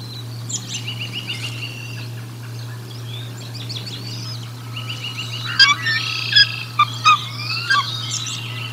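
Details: Bald eagle at the Decorah North nest during feeding, recorded 1 April 2022 by a nest camera; after a background of small bird chirps, a burst of loud, sharp, harmonic kik notes repeats irregularly over the last few seconds, with steady electrical hum.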